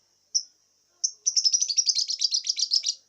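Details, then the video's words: Young lovebird about two and a half months old, learning a hoarse, cough-like sound while being trained to sing. Two thin high chirps, then a rapid run of scratchy, buzzy chattering notes lasting nearly two seconds. "lovebird paud 2,5bulan.belajar batuk suara serak dilatih biar gacor"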